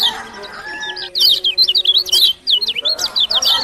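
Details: Rapid, chattering run of high, zigzag notes from a Lombok lemon-bellied white-eye (kecial kuning), broken by a brief pause and then resumed, over a faint lower humming background.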